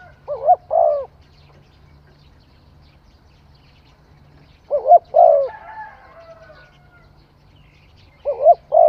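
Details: Somewhat quieter spotted dove song: three coo phrases about four seconds apart, each a short double note followed by a longer coo. Soft whistles from other birds are heard in the background.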